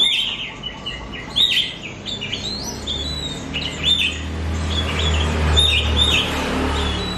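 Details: Oriental magpie-robin singing on a recording meant to prompt pet birds: a rapid run of varied chirps and whistles, about two notes a second, with a low hum rising in the background later.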